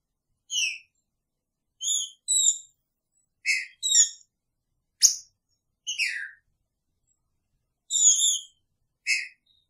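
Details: Green-winged saltator caged together with its female, delivering a lively series of short whistled notes and doubled phrases, some sliding down, roughly every one to one and a half seconds, plus a sharp click.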